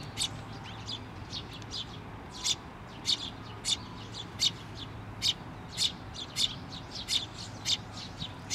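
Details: Young bird perched on a post, calling as its parent comes back, 16 May 2023, Tenmangu shrine grounds, Japan; bright high-pitched chirps repeat roughly every half second to second, growing denser toward the end, with low ambient hum beneath.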